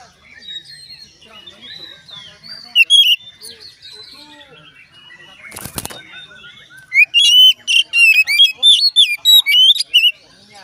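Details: Oriental magpie-robin song, played so other magpie-robins join in. Soft scattered twittering and a sharp whistle lead to one brief loud crackling noise, then a long run of loud, rapid, varied whistled notes and trills.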